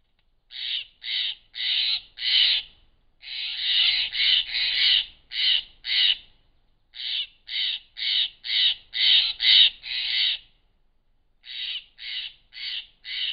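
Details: Steller's jays sounding off at a barred owl in the Klamath Mountains in June 2017: harsh, raspy squawks repeated in quick series of three to six, about two per second, with short gaps between bursts.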